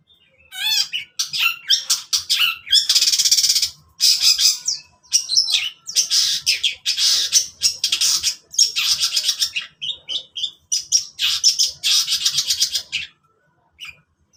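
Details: Long-tailed shrike singing in the morning: loud harsh scratchy bursts and rasping chatter packed into repeated broad noisy phrases, with brief whistled notes at the start, continuing steadily with short pauses.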